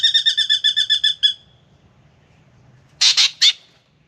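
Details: Spangled drongo singing in the morning at a backyard birdbath in Australia, coming for a drink. A quick run of ringing, metallic notes with a strong harmonic tone is followed by a pause, then three harsh rasping bursts.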